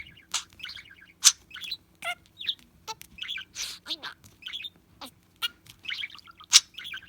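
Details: Chattering pet budgerigar, shared to help locate a lost bird: a lively stream of warbles, clicks and squeaky chirps with a few loud sharp notes, nearly continuous over seven seconds.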